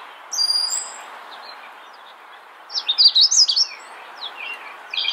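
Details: Free-living magnolia warbler singing one brisk, high warbled phrase of about six bright notes lasting a second. It is preceded by faint high whistles and followed by scattered soft chirps.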